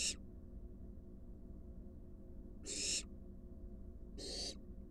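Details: Wild barn owls in a research-monitored nest box, adult bringing a big rat to the fledgling: short, shrill rasping hisses, three in five seconds, unevenly spaced, over faint low background rumble.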